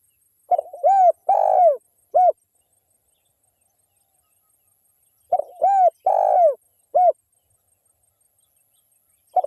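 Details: Spotted dove, an actively calling local wild bird used as a lure to make other spotted doves call, giving two phrases of a brief stuttered opening, two long mellow coos and a short closing coo, about four seconds apart; otherwise quiet.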